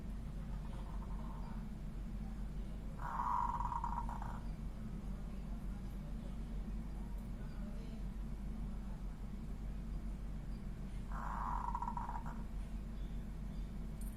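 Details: Zebra dove of a local strain giving 'ngorok' song, a snoring-like rattled phrase. It comes twice, about eight seconds apart, each lasting just over a second, with a fainter note before the first, against constant low droning background noise.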